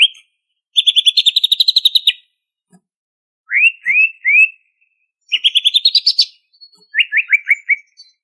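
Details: Greater green leafbird originally from Banyuwangi in spirited ngentrok song: long rapid chirping rattles rising in pitch alternate with a few rolling upslurred whistles and a quick descending series of notes, against a silent background.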